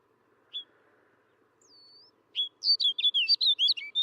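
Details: Snow bunting singing: after a single high note and a thin faint whistle, a rapid phrase of about ten sweet, warbling notes between high pitches, each slurred up and down, delivered in quick succession.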